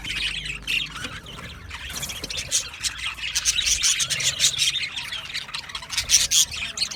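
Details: Budgerigar flock chirping: continuous high, buzzy warbles and sharp squeaks from several small parrots at once, steady overlapping chatter with louder bursts toward the end.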